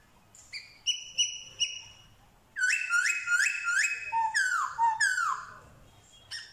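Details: Black-throated laughingthrush from Vietnam, wild-caught and trained in forest song, mimicking dogs, cats and chickens; sharp clipped harmonic notes, then four loud rising whistled upslurs in a row, followed by falling whistles and low notes.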